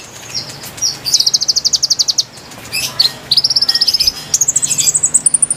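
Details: Konin singing a lively, melodious lure song for wild birds: several fast, high trills, each at a different pitch and separated by short gaps, with some squeaky notes between.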